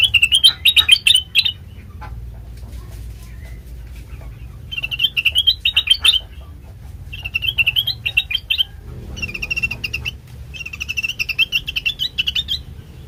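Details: Lure song of sooty-headed bulbul, meant to get untrained birds answering within a minute: four bouncy bursts of quick warbled chirps, each around a second long, separated by short gaps, with faint background hum.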